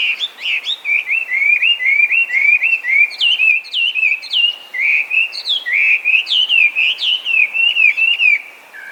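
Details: Feral Chinese hwamei, an introduced invasive species gone wild across Japan from escaped or released cage birds, singing loudly: a continuous stream of rich, clear whistled phrases, sliding and looping notes repeated in quick succession with barely a pause.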